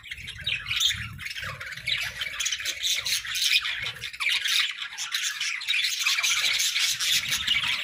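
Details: Happy, playful pet budgerigars chirping together: a dense, continuous chatter of high squeaky chirps and warbles from several birds overlapping with no pauses.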